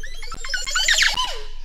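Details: Montezuma Oropendola perched and calling in the afternoon in Panama or Costa Rica in March 2022, giving a string of liquid gurgles and clicks that swell into a loud bubbling burst, then a single slurred note falling away.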